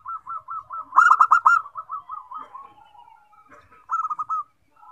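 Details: Zebra dove song that starts other zebra doves singing: a string of short soft coos building into a loud rapid rolling trill, fading into quieter cooing. A second shorter trilled phrase follows.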